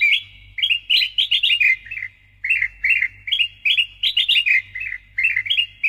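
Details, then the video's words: Persistent, loud song of a Sooty-headed bulbul (kutilang emas), offered as training and lure audio: chattering, liquid note clusters in rapid bursts, a short pause near the middle, then more bright phrases, with low background hum. "PANCINGAN & MASTERAN KUTILANG EMAS GACOR SUARA NYARING"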